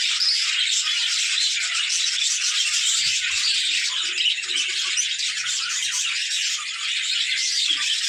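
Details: A crowd of budgerigars at play chatters without a break, fast irregular chirps and scratchy twitters running together into a dense high chorus, with a slight dip in loudness midway.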